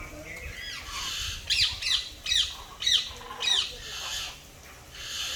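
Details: Parrot calling with a series of five harsh, raspy squawks spaced about half a second apart, each a broad noisy burst, after softer chatter at the start and before a quieter close.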